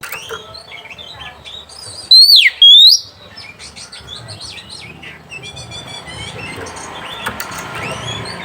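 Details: Oriental magpie-robin song used as a lure to arouse mating urge and provoke rival birds: one loud pair of swooping whistled notes midway, surrounded by softer busy chirps and twitters.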